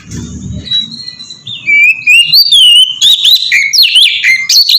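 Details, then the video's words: Kacer, the Oriental magpie-robin, in ngeplong song, used as a lure to prompt others to sing: a quiet start with low murmur, then rising and falling clear whistles and rapid chattering notes growing louder. "suara burung kacer ngeplong merdu sangat ampuh buat pancingan kacer bahan bikin cepat gacor"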